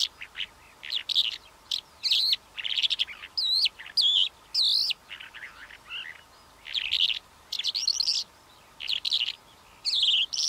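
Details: Calandra lark in varied song: bursts of warbled, slurred and rising-falling whistles mixed with buzzy chirps, delivered in phrases separated by brief pauses over a quiet background.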